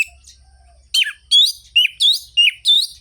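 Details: Lively orange-headed thrush song in the ngerol-ngeplong style, used to wake up reluctant singers: after a soft start, five loud, wavering whistled phrases follow about every half second, with a faint low rumble beneath.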